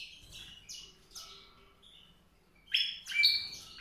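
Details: White-rumped seedeater song: a few high, thin warbled notes, then a louder burst of bright twittering phrases near the end.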